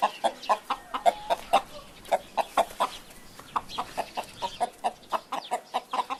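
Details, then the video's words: Hen clucking in a rapid, uneven series of short, low clucks, about three or four each second, with a steady faint hiss behind. "Ouça o som de uma Galinha cacarejando"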